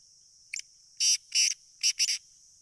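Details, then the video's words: Sindhi black francolin calling strongly: a faint short note, then four harsh, grating bursts in two pairs over about one second, over a steady high insect buzz throughout. "Kala Teetar ki Awaz | Sindhi Kala Teetar Voice | Black Frankolin Voice"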